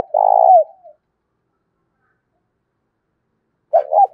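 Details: A decoy spotted dove in 'thổ' voice coos to entice wild doves to answer. One loud, drawn-out coo starts the clip, a long silence follows, then a short throaty pair of notes.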